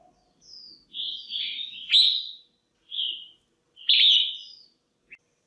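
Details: Female red-whiskered bulbul calling to stir males or to pair up, giving clear whistled, slurred notes around mid-high pitch with a loud rising-falling note, in phrases about a second long separated by short pauses.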